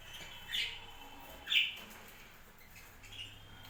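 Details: Budgerigars kept on a home budgie farm; two loud, harsh chirps about a second apart stand out against a soft background chatter of other birds, with a low steady hum underneath.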